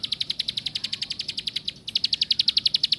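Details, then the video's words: Plain prinia producing a quick string of bright, high chips, pausing briefly near the middle before resuming at the same brisk pace. "Cuma Burung Ciblek Sawah Paman..."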